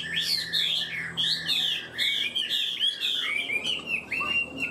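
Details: Caged Chinese hwamei in full high song, noted for a fast, stable start; rich whistled phrases swooping up and down, delivered in bursts roughly every half second with no other sounds.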